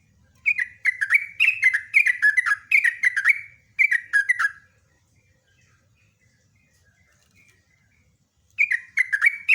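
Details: Yellow-vented bulbul in a long song run: bubbly, gurgling notes each dropping in pitch, strung together for several seconds, a silent gap, then the same liquid descending notes resume.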